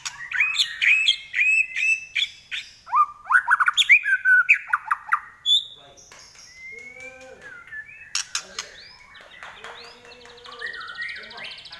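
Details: White-rumped shama of the Trek Pastol line, known for a shrill 'nyelit' voice. A fast burst of sharp chattering notes, about two or three a second, gives way to sliding whistles. A long buzzy trill comes near the end.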